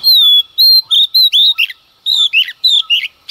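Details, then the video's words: Female Oriental magpie-robin singing in early morning to provoke males: loud clear whistled notes, descending slurs and rising sweeps around mid-high pitch, delivered in quick bursts with brief pauses between phrases. "Choè than mái hót kích trống hót căng sáng sớm"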